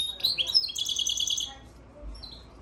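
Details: European goldfinch × Timbrado canary hybrid (mule), recorded March 3, 2024, sings a quick burst of high, liquid twitters and trills for about one and a half seconds, then a brief fainter chirp.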